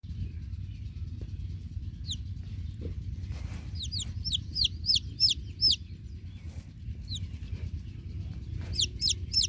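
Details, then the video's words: Baby chicks cheeping: clusters of short, high, downward-sliding peeps, some in quick runs of three to five, over a steady low rumble of background noise. "Baby Chicks Cheep Cheep Sound Effect| Chicks Sounds For Kids"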